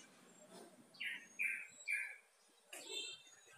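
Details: Yellow-vented bulbul call used to make a quiet kept bird answer and start calling: three soft bubbly warbled notes in quick succession, then a fainter burst, with faint background hiss.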